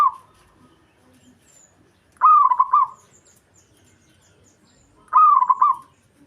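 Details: Local zebra dove song meant to provoke a rival: rolling, gurgling coo phrases with hooked notes, repeated about every three seconds in a quiet setting.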